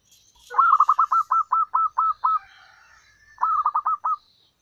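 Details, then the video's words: Zebra dove from the wild, used to lure males: a rapid series of about eleven crisp, even cooing notes with a slight upturn, then after a gap a shorter tumbling run of about six, in quiet surroundings. "suara pancingan ampuh perkutut lokal alam liar gacor panjang memanggil jantan"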